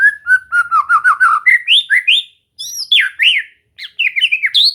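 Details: White-rumped shama (murai batu) being trained to sing often: fast, rich song of varied chirps, rising whistles and warbled slurs, delivered in quick bursts with two brief pauses.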